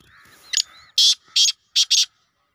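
Grey francolin giving loud, harsh, grating notes, four to five rasping bursts in quick succession with brief pauses between them, over a faint background hiss.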